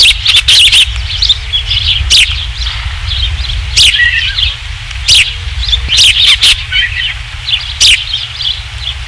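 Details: Osprey at its ranch nest, evening of 27 July 2016, third fish of the day, nest camera: a long sequence of insistent high whistled chirps, run together in clusters, with frequent loud wind thumps and a low background rumble.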